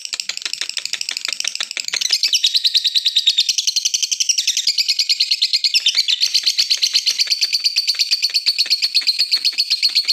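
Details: Continuous ngekek chatter of a lovebird, played to coax others into singing: a long, rapid, buzzy rattle of repeated notes, louder after the first two seconds and steady to the end.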